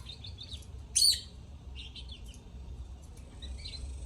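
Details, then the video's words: Lovebirds singing: scattered high, thin chirps and short twittering notes, with one sharp, loud squeaky burst near the first second, over a steady low background hum. "Love Birds Singing"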